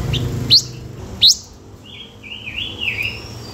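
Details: Lure song of a Blue-winged minla: two sharp, bright upswept notes about a second apart, followed by a wavering, warbled phrase that rises and dips, and a faint thin whistle at the end, over low hum.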